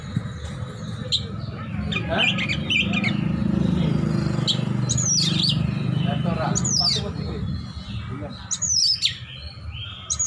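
Oriental magpie-robin sings loud, sharp whistled sweeps and chips in quick bursts, packed with borrowed notes, over a steady low rumble and some talking.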